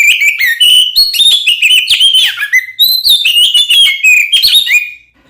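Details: Oriental magpie-robin song used to provoke other magpie-robins into fighting: loud, rich run of whistled and slurred notes, rising and falling between mid and high pitch, with quick harsh chatter mixed in, continuous for about five seconds.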